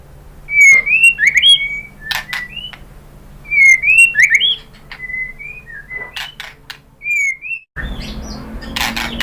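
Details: White-rumped shama song used as a lure to make other shamas answer and sing: clear whistled notes with upslurred and looping phrases, given in bursts with short pauses, ending in a burst of rough noise.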